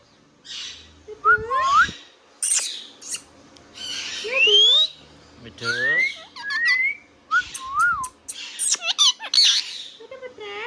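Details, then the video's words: Pet Indian ringneck parrot mixing mimicked speech with whistles: rising whistled slurs, nasal word-like syllables and sharp squawks in irregular bursts over about ten seconds, indoors. "Ringneck Parrot Talking Sound video | Indian Ringneck parrot natural sound"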